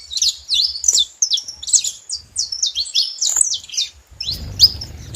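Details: Saffron finches noisy together, with a chain of short high chirps and sharp zigzag notes, then a rougher low rumbling noise rising in the last second.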